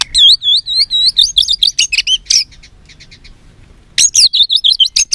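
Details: White-rumped shama singing a fighting song: rapid high, wavering whistles and sharp chips pour out for two seconds, fall quiet, then resume in another quick, high twittering burst.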